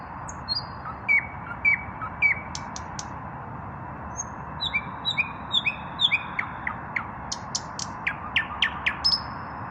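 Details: Evening song of a male common nightingale that has not yet found a mate, puffing out its chest; varied whistled phrases, sliding notes and rapid high clicks in bursts, over a constant low hum.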